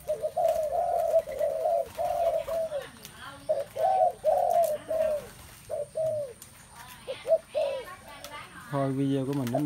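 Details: Several spotted doves give low, mellow, overlapping coos in the first half, which thin out later as other harsher, voice-like calls break in, over a faint steady high hum.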